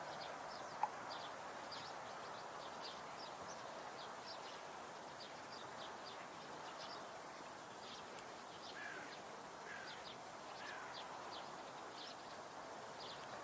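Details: Common snipe (Gallinago gallinago) gives a rapid series of short, high, clipped ticking notes over a steady outdoor hiss.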